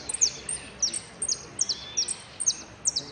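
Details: Saffron finch (amarillo) singing in a "sin cierre" contest class at a singing contest in Merlo, 3 December 2017: bright, very high chirped notes in quick clusters, repeated roughly every half second over faint background noise.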